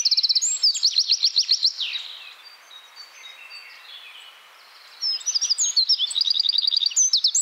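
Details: Eurasian wren song in a Czech forest, Central Europe: loud, rapid high trills and sharp notes in two bursts, with a quieter pause between them.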